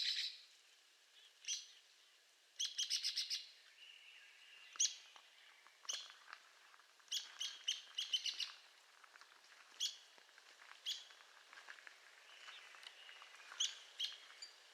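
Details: Arizona woodpecker giving repeated sharp, high calls and short rapid rattles, scattered irregularly through the recording, over a steady hiss of background noise.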